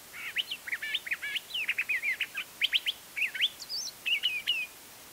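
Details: Curve-billed thrasher singing in spring in Embudito Canyon, Sandia Mountains foothills, Albuquerque, New Mexico, March 31, 2010, about 9:30am, shotgun mic; a long rapid warbled phrase of varied whistled and slurred notes, chattering and rising, with no pause.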